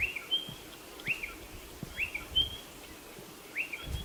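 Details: Spotted pardalote giving a repeated three-part whistled phrase: a high level note, a longer steady piping whistle, then a lower swooping upslurred note, the phrase recurring roughly every one and a half seconds against soft outdoor ambience.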